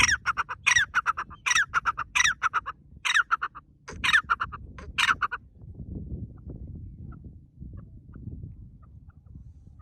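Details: Partridge calling loudly in a forest, described as very happy. Harsh, rasping bursts repeat roughly every half second for about five seconds, then stop, leaving only a low rumbling background.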